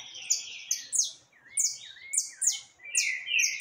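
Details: Singing saffron finch, 20 October 2021, with free birds around; loud high chips alternating with smooth descending slurred whistles in a steady, rhythmic series.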